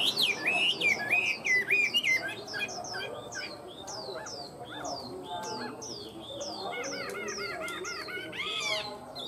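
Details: A tame Chinese hwamei sings a loud, rich phrase of swooping whistles, then a series of repeated high slurred notes and a burst of harsh, layered notes near the end.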